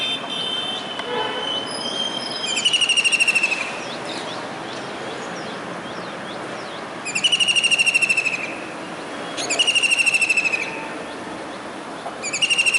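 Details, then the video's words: From a dish antenna on a building in Surat, Gujarat, a kingfisher calls on a rainy July 2019 day. Shrill rattling trills burst out roughly every two to four seconds, with brief chirps of other birds and distant traffic hum. "Kingfisher Bird's Voice"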